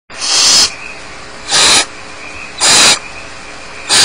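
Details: Barn owl chicks alone in their nest at Starr Ranch give harsh, broadband hissing bursts. Four loud rasps of about half a second each come roughly once a second over a steady low background hiss.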